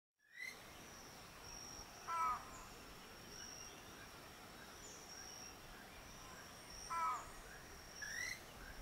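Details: A Keel-billed Motmot at Rio Santiago, Honduras, gives two short, hollow, nasal calls about five seconds apart over a steady high insect drone, with faint calls from other birds.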